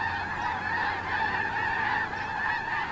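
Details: Massed snow geese calling at Terranova, 9 October 2017: many birds honking at once, a thick, unbroken babble of nasal yelps with no gaps.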